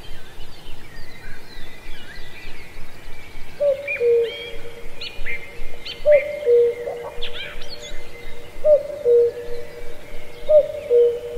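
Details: [['Cuckoo in a lush forest of Pallandri, Azad Kashmir, calling cu-coo four times, roughly every two and a half seconds, each a brief higher note sliding to a lower one, amid sharp chirps and trills from other forest birds.']]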